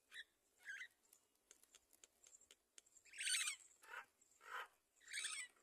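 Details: Great myna at the nest while feeding its young, producing a series of raspy, noisy screeching notes that grow louder and repeat roughly every second, mixed with soft clicks and rustling.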